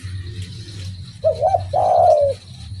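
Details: One full phrase from a spotted dove singing vigorously: a brief stuttering coo pair, then a prolonged, rich, gently descending coo, with a steady low hum throughout.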